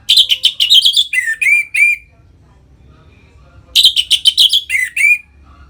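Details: Orange-headed thrush giving ngeplong-style song to excite captive birds into breeding condition: rapid strings of high chirps ending in several lower, falling whistles, repeated after a two-second pause.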